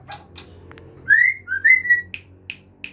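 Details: White-rumped Shama of the Aceh type, captive bred, feeding its chicks; two long smooth rising whistles, followed by three short sharp chirps at regular intervals, over a low steady background hum.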